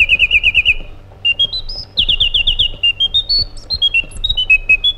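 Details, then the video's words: Iraqi bulbul (white-eared bulbul) song: a quick run of short repeated whistles, a pause, then a varied string of clear whistled notes stepping up and down in pitch, some trilled, others single and spaced. "Magnificent Harmony by an Iraqi Bulbul"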